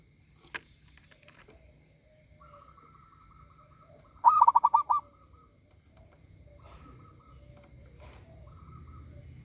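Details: Local zebra dove singing loudly: a single burst of rapid, pulsed cooing notes in the middle, with faint steady tones, a sharp click early on and low background rumble around it.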